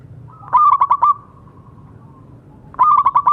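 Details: Local zebra dove in full voice, used as a tutor to get silent doves singing again: two bursts of about five quick, mellow, bubbling coos, each ending in a drawn note. Soft, faint tones fill the quiet gap between bursts.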